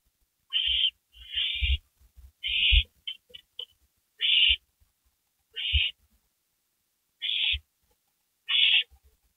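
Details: Owl, one of a pair back at a porch at 12:12 AM on May 3, 2012, giving harsh, hissing screeches about half a second long, eight in nine seconds, unevenly spaced, with soft knocks and thumps between.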